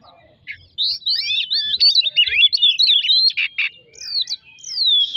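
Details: Magpie-robin song meant to set other birds singing: after a quiet start, a dense burst of rapid whistled twists and trills, ending with two long clear descending whistles.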